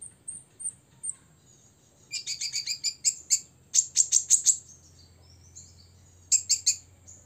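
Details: Six-year-old olive-backed sunbird singing to provoke rivals. Scattered high chips open into two fast runs of bright, very high notes, and a final short burst follows after a pause. A faint low hum runs throughout.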